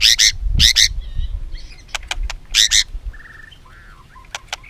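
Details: White-rumped shama song rich in mimicked phrases, used to stimulate other shamas to sing: loud paired harmonic notes, sharp vertical clicks, then short buzzy mid-pitched trills, with a low rumble beneath.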